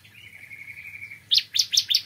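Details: A thin, steady whistle held for over a second, then a bar-winged prinia (ciblek kristal) breaks into four or five sharp, high chirps in morning song.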